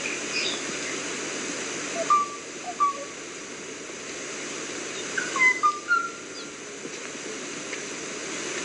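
Kauai ʻōʻō giving hollow, flute-like whistled notes: two spaced single whistles, then a quick cluster of higher and lower whistles, over a steady hiss.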